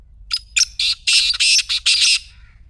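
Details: Black francolin call, played to make a silent partridge start calling: a harsh, grating series of about six rasping notes, with the later notes longer and louder. A low rumble runs underneath.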